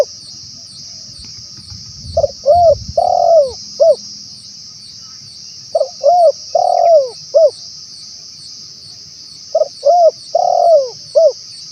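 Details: Spotted dove, a male, giving its calling phrase to lure wild birds: three phrases of quick double notes, a swelling coo, a long falling coo and a short final coo, spaced about four seconds apart, with a continuous shrill insect hum.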